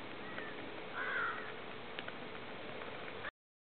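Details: A Snow Goose (Anser caerulescens atlanticus), recorded 7.8.12 alongside Ring-billed and American Herring Gulls, gives a single harsh nasal honk over steady background hiss, with a few faint clicks after it.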